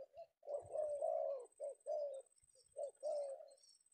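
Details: Indonesian spotted dove, a male Penguku caught in the afternoon, giving a long rolling coo, two short notes, then another drawn-out falling coo.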